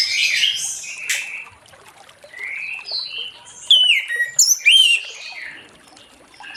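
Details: Late-afternoon song of an orange-headed thrush, meant to draw other thrushes into singing: a jumble of high notes, a quieter stretch of soft rising phrases, then a burst of sharp, loud, slurred whistles.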